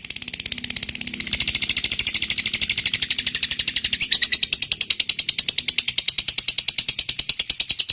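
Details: Lovebird giving its long 'ngekek panjang' trill, a fighter-type song meant to provoke other lovebirds: a fast, steady run of sharp high chattering notes, about three per second, growing louder midway, with no other sounds.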